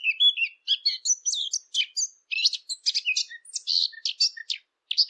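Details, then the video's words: Rapid, scratchy warbling from a Eurasian blackcap, recorded for hunting lure machines: a continuous stream of varied twittering notes, high and jumbled, in a clear recording without background noise. "صوت التيان او عصفور التين"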